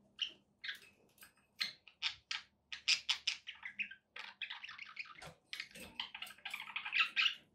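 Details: Pet budgies in a room keeping up fast chatter: clipped clicky notes at first, then a continuous buzzy, squeaky warble, with a faint low hum underneath.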